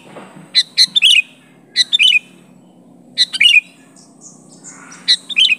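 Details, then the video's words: Calling to pressure a rival, a sooty-headed bulbul without mimicked song gives four bursts of sharp, chirpy notes with falling slurred ends, separated by short pauses, over faint low noise. "Suara Burung Kutilang Gacor Memanggil Lawan Asli tanpa Isian Menekan lawan"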